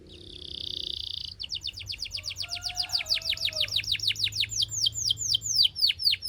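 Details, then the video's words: Belgian canary singing, rapid series of descending high whistled notes repeated about twice a second, speeding into rolling trills, opening with a steady buzzy tone; faint low hum beneath. "This BELGIAN CANARY SINGS BEAUTIFULLY - Heats Up Quickly!"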